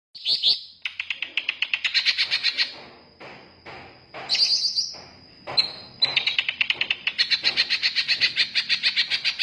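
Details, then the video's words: Greater green leafbird singing: a long stream of rapid chattering and twittering notes, broken by a brief whistled phrase, over a steady high-pitched tone in the background. "BURUNG CUCAK IJO"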